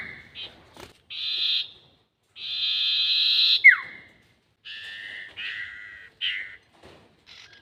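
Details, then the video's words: Sirtu bird lure sound for trapping, 'nyiul panjang' style: separate buzzy, hissing notes of varying length, a longer harsh note ending in a steep downward slur, then a series of shorter rasping notes after a pause. "SIRTU NYIUL PANJANG ..... ‼️ Cocok Untuk Pikat || Suara Pancingan Sirtu"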